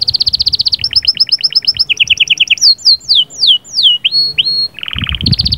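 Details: Caged canary song of sahsahat and batbatat type, sung to stimulate the female: quick high trills shifting to lower rolls, then sweeping descending whistles, a low buzzy tour and a returning high trill, with faint low knocks.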